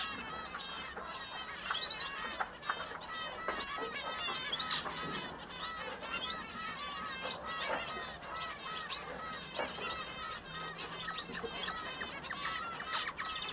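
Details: Bengalese finch male in full song, distinguishing it from the female: extended fast chatter of nasal, buzzy stacked notes and trills, with brief louder accents scattered through.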